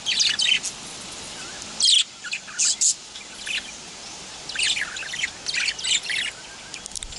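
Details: A male budgerigar, also called a parakeet, utters thin, high, scratchy chirps. Some are isolated and others come in chattering clusters with short pauses between them, over a steady faint hiss.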